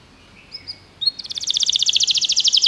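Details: Canary song played for a pet canary. After a few faint notes, a rapid, bright, even trill starts and keeps getting louder.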